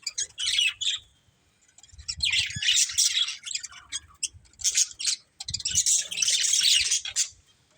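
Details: Breeding pair of budgerigars in a family group giving bursts of dense, scratchy chirping and chattering, high and buzzy, in three main bouts separated by short pauses.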